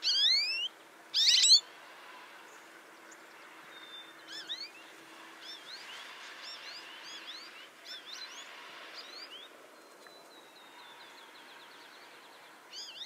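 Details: American goldfinch at a bird feeder on a farm in Indiana: thin, high, upslurred twittering notes at irregular intervals after two loud bursts at the start, over soft hiss.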